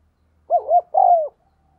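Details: Spotted dove decoy cooing to goad other doves: a paired short rising coo, then one drawn-out coo sliding downward, over a faint low hum.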